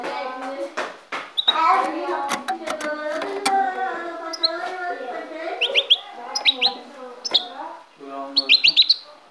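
A European goldfinch sings a run of nasal, harmonic notes with bright tinkling chirps, rising twitters and sharp high trills toward the end.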